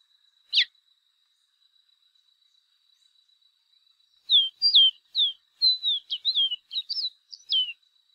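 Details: Chestnut seedeater singing: one sharp isolated chip, several seconds of quiet, then a lively phrase of clear downslurred whistles and quick flicked notes, closing on a longer falling whistle; a thin constant tone hums in the background.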